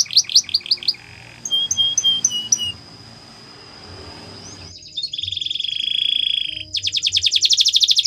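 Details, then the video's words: Canary singing a training song: a few quick sweeps, then soft repeated chirps over a thin sustained whistle, a pause, a smooth steady rolling tone, and a burst of rapid buzzy trilled notes. "The Best Canary Sounds !! Canary Training"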